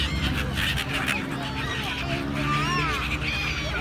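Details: Gulls calling in a group, several overlapping nasal, wavering cries that bend up and down in pitch, set against a constant low droning rumble.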